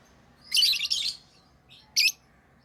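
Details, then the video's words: Tame lovebirds give a run of rough, high-pitched chirps lasting about half a second, then one short sharp chirp, in a quiet indoor setting. "Love birds Sounds | lovebirds chirping sounds"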